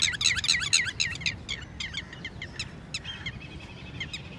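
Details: Indian Red-wattled lapwing (Titodi) at a lake during mating activity, giving a rapid burst of loud, sharp, high notes about four per second, then fading into quieter scattered notes over a low rumbling background.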